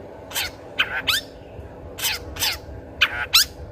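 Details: Long-tailed shrike (cendet) singing, meant as a decoy to stir quiet shrikes into song: clusters of scratchy, buzzy notes with quick twisting whistled inflections, delivered in pairs and triplets, with low background hiss.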